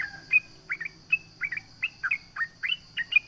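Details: Trucukan (sooty-headed bulbul) calling to provoke rivals: a crisp, regular series of short rising-and-dipping whistled notes, some doubled, about three per second, over a faint steady high hum.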